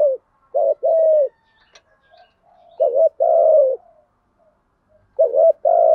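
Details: Low, hoarse two-part coos from a decoy spotted dove used to draw in wild doves. Three phrases roughly every two seconds, each a brief note then a longer sustained coo. Faint clicks between phrases.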